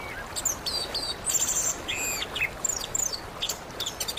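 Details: Indonesian orange-headed thrush singing, as therapy meant to make a silent bird start singing: high chirps and a buzzy burst, then slurred whistles dipping and rising, ending in rapid scattered high notes over a hissing background.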